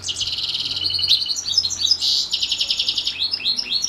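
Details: House finch crossed with canary, singing in the morning as training: dense high rolling trills, a brief buzzy burst, then quick repeated chirping phrases and downslurred notes, with a faint low hum.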